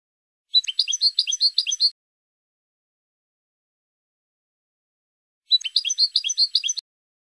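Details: European goldfinch song recorded for training and competition, Málaga, 2020: two bursts of rapid tinkling, twittering notes, each about one and a half seconds long and about four seconds apart, with silence between them.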